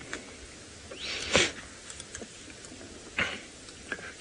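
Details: In the Masai Mara, a Southern Ground Hornbill eating a dead turtle crushes its skull and shell with its beak: two loud, sharp cracks about two seconds apart, with fainter clicks and snaps between them over a quiet background.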